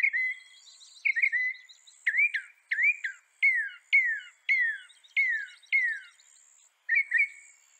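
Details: A North American northern mockingbird sings a string of sharp, down-slurred whistled notes, each falling quickly in pitch, repeated about every half second with brief pauses.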